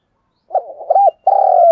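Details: Decoy call of a spotted dove, played to excite wild birds: a brief soft coo, a rounded rising-falling note, then a long steady rolling coo that runs to the end.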